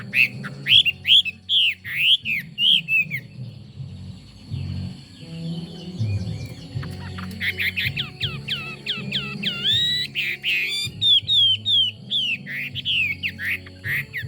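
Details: Chinese hwamei in full song, moving from repeated clear whistled slurs to fast, varied warbling and rapid chattering trills, then back to bright looping whistles, with a constant low droning hum beneath.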